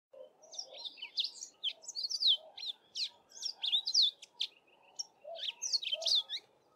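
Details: A male yellow-fronted canary (Crithagra mozambica) sings a fast, jumbled run of bright twittering notes and sweet slurred whistles, with quick chirps between phrases and a soft low hum behind.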